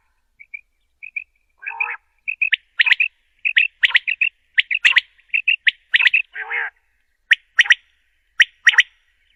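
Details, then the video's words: Common quail giving sharp, high, liquid notes, often in quick groups of two or three, with a few lower nasal, buzzy notes mixed in. "Quall sound"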